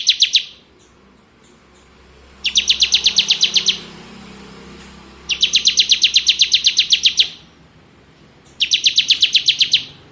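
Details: Crystal-type bar-winged prinia singing ngebren: four bursts of rapid, evenly pulsed high chirps, each lasting one to two seconds and separated by short pauses, with faint low background rumble.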